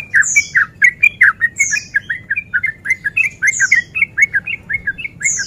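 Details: Breeding male sooty-headed bulbul sung as a lure to stir other males into fighting: steady stream of short, rich, bubbly notes with high descending squeaks every second or so.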